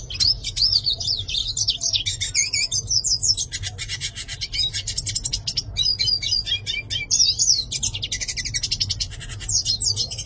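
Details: Continuous song of a yellow-faced siskin: wavering whistled phrases alternate with long harsh buzzy rattles and rasping trills, the sequence running unbroken for about ten seconds above a low steady hum.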